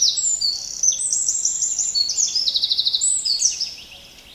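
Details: Eurasian wren singing a loud, high-pitched rapid song of sharp notes and fast trills, including a quick rattling trill in the middle, over a steady background hiss.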